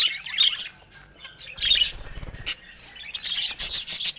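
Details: Colorful budgies giving bursts of squeaky chirps and warbling chatter separated by short quiet gaps, with a low rumbling thud in the middle.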